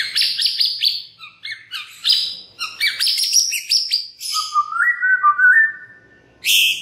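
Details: White-rumped shama singing as a lure to spark other shamas: dense high scratchy and chattering notes for several seconds, then a smooth warbled whistle rising and falling, closing with a sharp high burst.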